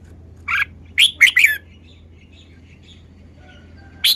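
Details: Red-whiskered bulbul displaying its song phrasing: one bright chirped note, then a quick cluster of three warbled notes, a pause, and a final chirp, against a low steady hum.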